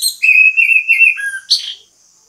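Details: Orange-headed thrush, a singing bird used as bait song to prompt other orange-headed thrushes to sing, giving clear whistled notes: a long steady whistle, a lower short whistle, then a high buzzy burst, with no other sounds.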